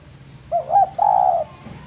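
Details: Single cooing phrase of a spotted dove, from a master recording for training birds: two brief looping notes then one sustained mellow coo over low hum.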